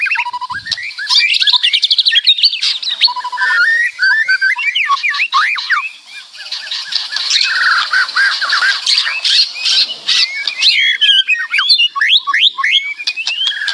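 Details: White-rumped shama in a long, loud, full song: rapid chirps, rising and falling whistled sweeps and scratchy trills, phrase after phrase with a short softer passage near the middle.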